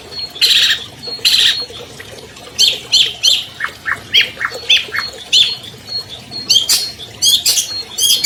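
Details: A 2020 champion albino long-tailed shrike used as a master lure for non-singing shrikes: broad harsh squawks, a descending sequence of short scratchy notes, then rapid raspy bursts.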